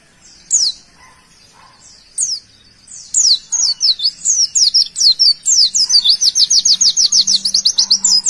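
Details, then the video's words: Singing white-eye opens with a few isolated high downslurred whistles, then accelerates into a dense run of repeated piercing slurred notes, steady and rapid, over a soft low hum. "tembakan pleci sultan"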